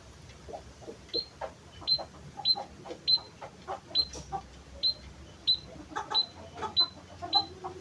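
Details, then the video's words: White-headed munia (emprit kaji) singing its natural song without learned fill-ins. Short, high, thin notes with slight downward ticks repeat about every half second, over soft clucking and low background hum. "suara burung emprit kaji tanpa isian"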